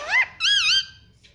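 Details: Talking pet parrot, said to call "mummy"; two harmonic syllables, the first rising, the second longer and wavering, resembling a two-part spoken word.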